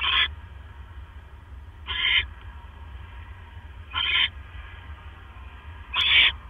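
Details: Male barn owl delivering another mouse to the nest at 1:09 AM on 12 October 2015. Four harsh, hissing screech bursts, each about a third of a second long, come roughly every two seconds over a low steady hum.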